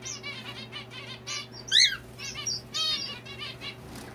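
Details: Lively zebra finches at home calling together: rapid nasal, buzzy toots and trumpet-like notes in clusters, one loud harsh call standing out, with a steady low mechanical hum throughout.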